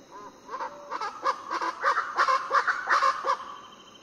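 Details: Variable chachalacas calling before dawn, Foengoe Island, Suriname: a burst of loud, raucous, rhythmically repeated notes, several birds calling together at a quick, even pace, over a faint background hum.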